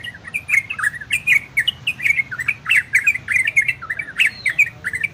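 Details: Warbling song of an orange-spotted bulbul in ropel and garudo style: clusters of sweet, looping whistled notes in pulses about every half second, with light clicks.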